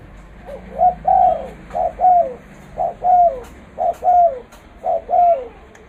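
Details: Spotted dove used to lure birds into traps, valued for its big voice; five rhythmic coo phrases in a row, each a short note followed by a longer, slurred falling note, roughly one per second.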